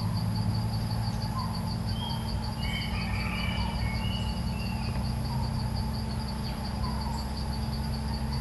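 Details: Red-eyed bulbul, a territorial bird said to be clever and good-voiced that swoops without landing on the cage, sings a cluster of whistled notes mid-clip over a steady pulsing insect chorus.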